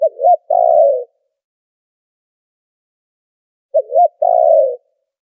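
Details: Spotted dove calling as a trapping lure, noise removed: two phrases about three and a half seconds apart, each a brief double hoot then a longer rolling coo, in clean silence.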